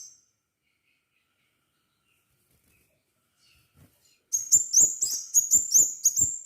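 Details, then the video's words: Gacor crimson sunbird for luring others into song: after a long quiet gap, a rapid, insistent series of shrill, very high, metallic chips bursts out and continues steadily to the end. "Burung kolibri sepah raja gacor - pancingan sepah raja agar bunyi"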